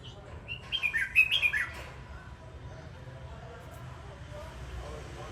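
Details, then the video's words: A dancing red-whiskered bulbul gives one quick, jumbled phrase of about eight short whistled chirps early on. Only a steady low background hum follows. "Chào mào hót múa"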